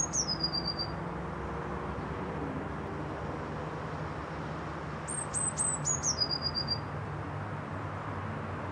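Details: Blue tit singing: two phrases about five seconds apart, each with thin, very high notes sliding down into a short, quick trill. A steady low rumble of traffic runs underneath.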